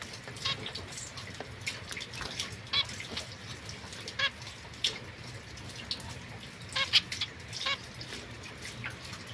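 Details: Zebra finches, a young pair with a white female and mosaic male, housed separately from other birds, 22 September 2024; brief honking beeps scattered through the recording, about eight in all, against constant low hiss.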